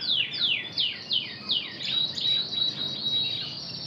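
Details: Canary of the intense red variety trained in Spanish Timbrado song: evenly spaced descending slurs about three per second, turning into a steady high whistled roll.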